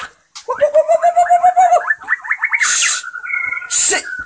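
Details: White-rumped shama from Indonesia singing: a steady run of fluting whistles on one pitch, then quick rising and falling warbled notes climbing higher, broken by two harsh rasping bursts near the end.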